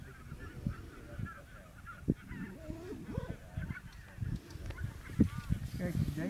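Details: Lesser white-fronted geese at Camperduin, the Netherlands, on 20 January 2019, give repeated high, squeaky yelping calls in irregular bursts over a low rumble of wind, with brief human speech.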